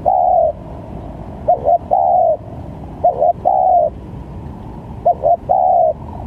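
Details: Lure call of a spotted dove for trapping, varied in sound: three phrases, each two brief soft coos then a long mellow falling coo, spaced about every two seconds, low rumble underneath.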